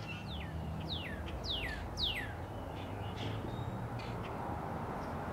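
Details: Northern cardinal (Cardinalis cardinalis) calling from a backyard tree in Katy, Texas, in February 2009: four clear, loud whistles, each sliding steeply downward, repeated about every half second, followed by faint softer notes and low background noise.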